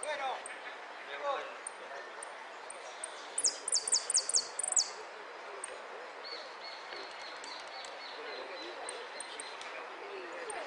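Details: European goldfinch at a singing contest, Copa Federacion, 3 March 2013: a short rapid series of sharp, high, falling whistled notes early on, then softer scattered high chips, over steady background chatter of people.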